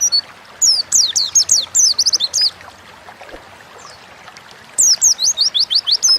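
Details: Lively 'ngalas'-style song of an Oriental white-eye, a training lure to get caged birds singing fast: a burst of quick, very high descending chirps, a few seconds of near silence, then another rapid chirping run.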